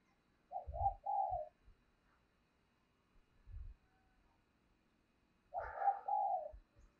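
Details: Spotted dove used as a decoy bird, calling to stir other doves into cooing: two bursts of low, throaty, rolling coos a few seconds apart, with dull low thumps between and a quiet background.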